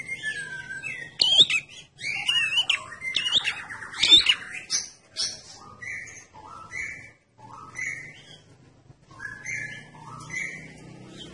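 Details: Lure recording of a red-headed prinia singing energetically: harsh chattering notes at first, then a steady series of short whistled notes that step up and down, with brief gaps between phrases.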